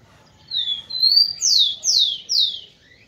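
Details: Tico-tico, the rufous-collared sparrow, singing to excite females: a pair of thin, level whistled notes, then three strong downslurred whistles in steady rhythm, ending with a short soft upward note.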